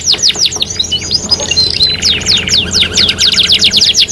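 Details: Canary lure song, 3-in-1 mix: looping downward-slurred notes, a rattling buzzy passage, then bright repeated sweeps.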